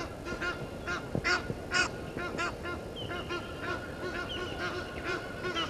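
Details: Egyptian geese in a dispute with intruder geese at Gowrie dam waterhole, Djuma Game Reserve, Sabi Sand Wildtuin, South Africa, filmed by a live waterhole camera at 17:08 on 10/04/21; harsh, broadband honks in uneven bursts, several per second, over low rumbling background.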